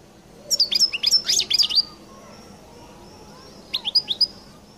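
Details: Distinctive 'qal' song of a European goldfinch: a lively second-long phrase of high, sharp twittering notes, a short pause, then a brief cluster of three or four rising chirps.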